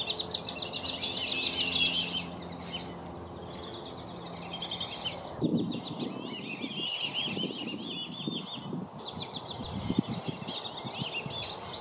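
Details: Black-bellied whistling duck parents defend their young from other ducks at Circle B Bar Reserve, Florida. Loud bursts of high, squealing whistles alternate with quieter stretches; a low hum fades partway, then splashing and wing or water noise grow.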